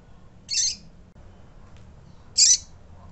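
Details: Calling female double-collared seedeater, used to stimulate males: two brief, buzzy, high-pitched chip notes about two seconds apart, each sharp and rasping, against a soft low hum.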